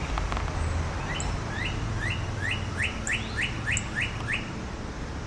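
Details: Male northern cardinal that flew into a backyard in response to a cardinal call played from a computer. It gives a run of about nine clear, rising slurred whistles in quick succession over a low background rumble.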